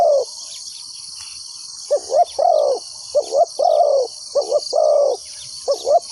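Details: Trapping decoy spotted dove: one coo, nearly two seconds of quiet with only insect hum, then a burst of soft hooting coos, short and long notes alternating, ending in a few clipped notes.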